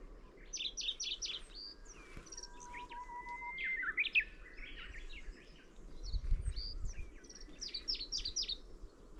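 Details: Middendorff's grasshopper warbler singing: bursts of short, dry, repeated notes in quick phrases, rising and falling in bright chatter, with a thin steady whistle from another bird in the background and a low rumble midway.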